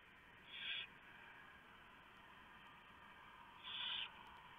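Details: Barn owl nest in the small hours of 3 November 2015, male bringing a big mouse and owlets being fed; two rough, breathy screeches about three seconds apart against faint steady noise.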